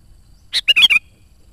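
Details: Sooty-headed bulbul, a strong-singing bird used as a lure for wild and trainee decoy bulbuls, gives one short burst of four or five bright, bubbly, liquid notes in under half a second against a quiet background.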